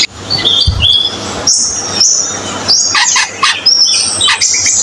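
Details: Cucak keling bird song with high, chirpy whistled phrases and short squeaky notes in quick bursts after a brief low thump, over steady background hiss and hum.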